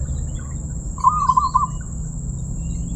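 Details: Zebra dove with a 'crystal' voice giving one short burst of low, rolling, staccato coos, about a second long, over a steady low rumble and a faint constant high whine.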